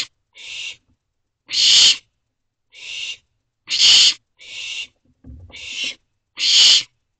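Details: Nest-box barn owl owlet begging for a freshly delivered vole in the early hours of 18 June 2023: a series of seven breathy, noisy screeches at uneven intervals of about one second, alternating louder and softer, with a brief low scuffle near the end.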